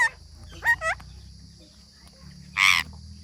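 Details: Parrot with a few bent nasal notes, a quiet gap, then one loud, rough screech.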